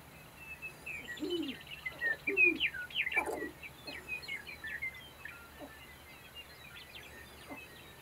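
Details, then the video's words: Sharp-tailed grouse at a lek: quick clucking and squeaky chirps bunched in the first half, then sparser high notes fading toward the end, with a few lower hollow notes and steady faint background noise. "Sharp Tailed grouse Lek"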